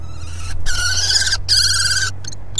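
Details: Common kestrel at a nest in Brest, Belarus, during dinner on 26 April 2020, giving two drawn-out, raspy, trilling calls, each under a second long, over a steady low hum.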